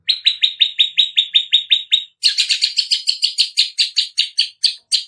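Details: Long-tailed shrike learning to imitate the sounds of chicks: a fast run of about a dozen identical high chirps, then a brief pause and a second series of sharper, higher chips at a slightly uneven pace.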